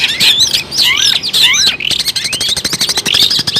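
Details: Energetic long-tailed shrike song meant as a bird-trapping lure: looping whistled phrases first, then a rapid run of short clicky chips mixed with a few sliding high notes.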